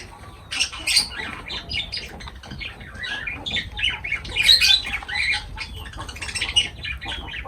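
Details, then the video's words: Lovebirds chattering while they eat, continuous shrill squeaky chirps and short squawks from several birds, growing busier midway. "Love birds voice sound"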